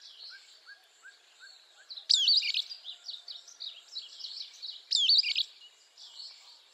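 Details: Two loud, shrill, squeaky rising calls from a sulphur-bellied flycatcher (Myiodynastes luteiventris), about three seconds apart, over a busy background of softer chattering birds.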